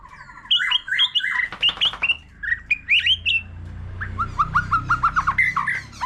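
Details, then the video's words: Singing many voices beside a laughingthrush, an old forest-caught white-rumped shama gives paired fluty whistles, then twangy slurred notes, then a fast series of short upslurred chips, over a low rumbling background. "Choè lửa già rừng nhiều giọng hót solo cùng khướu"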